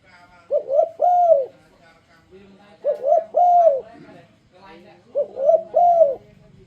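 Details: Spotted dove sending out an enticing song to lure other doves into calling: three cooing phrases about two seconds apart, short doubled notes then a drawn-out arched coo, with faint softer murmurs between.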